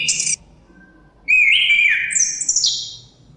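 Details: Chestnut-capped thrush (Zoothera interpres) song: a short high note, then a long sustained whistled phrase sliding down and stepping to a very high drawn-out note, with low rumbling background.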